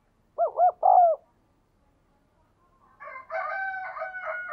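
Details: Caged spotted dove with a 'đồng kim' voice, whose cooing is meant to prompt newly caught doves to coo: one quick mellow phrase of three coos, the last longest and falling, then a rooster crows loudly after a pause.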